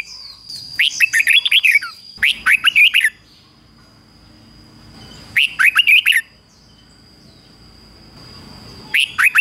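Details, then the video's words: Red-whiskered bulbul used as a decoy, singing to call in rivals: several phrases of fast, bright whistled notes, rising and falling, repeated every few seconds, over a thin continuous high tone. "Chào mào mồi hót gọi bổi đỉnh cao chuẩn nhất - chào mào mồi kích bổi về đấu hay nhất chào mào hót"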